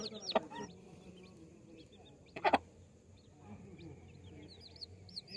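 Chicks give soft, high, short peeps scattered through the clip, while two loud, low clucks from an adult hen stand out over a murmuring background.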